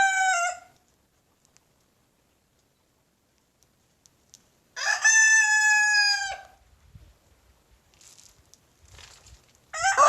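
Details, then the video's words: Backyard roosters crowing in the morning, one rooster chased by a Silkie rooster when it crows: three crows, one long strained crow in the middle flanked by partial crows at each end, with scuffling and footsteps between. "Rooster Crowing in the Morning"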